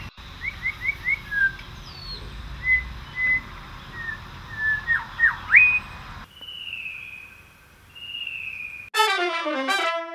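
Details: Australian birds: quick rising chirps and short whistled notes in a brisk series, then sustained flat whistles, then a loud harmonic rising call after abrupt cuts between recordings.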